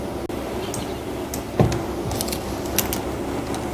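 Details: Low outdoor ambience with a few sharp clicks, a soft knock and faint jingling, but no animal calls.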